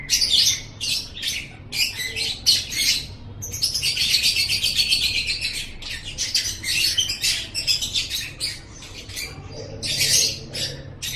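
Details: Training recording of a lovebird: rapid, repeated shrill squeaks and harsh chips, a long rambling squealing passage in the middle, then more clipped chirps and a final loud rasping burst.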